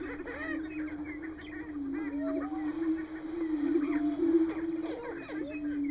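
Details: Greater prairie-chickens on a Nebraska booming ground in March, males displaying. A constant low hollow hum carries throughout, broken by scattered arched whoops and chattering cackles, which are louder toward the end.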